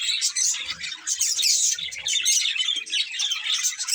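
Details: Budgies twittering together in a steady, crowded stream of high chirps and squeaky warbles, with a louder burst about halfway.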